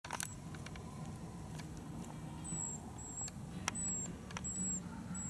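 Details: Dusky thrushes squabbling on wintering ground in Tokyo, Japan, on 6 March 2022, filmed with a camcorder; one bird gives thin, very high, short whistled notes, each slightly falling, roughly every second, over a low background rumble and scattered ticks.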